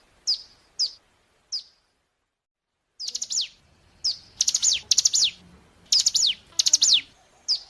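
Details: Hill prinia (ciblek gunung) song played as a lure to make other birds answer: sharp, very high chirped notes, first three spaced singly, then quick downward-slurred bursts in clustered groups of two to four.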